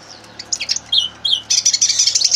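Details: Common linnet gives a few scattered chirps and slurred notes, then breaks into a continuous high twittering run.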